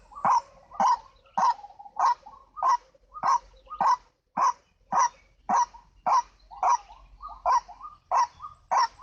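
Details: Lure sound of the white-breasted waterhen (ruak-ruak): harsh croaking calls repeat in a fast, steady rhythm, with faint chuckling notes between them and light background hum.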